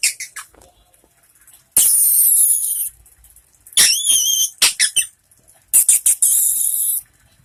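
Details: An escaped cockatiel of unknown sex, caught by animal control at a school and now being fostered in a home, gives three very loud, harsh screeches, each about a second long, with shrill wavering notes between them over quiet room sounds.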